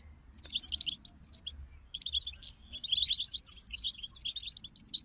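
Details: Several European goldfinches twittering together, a group recording meant to prompt a silent goldfinch to sing; dense, overlapping, very high tinkling and buzzy notes in quick bursts, with a brief pause near the middle.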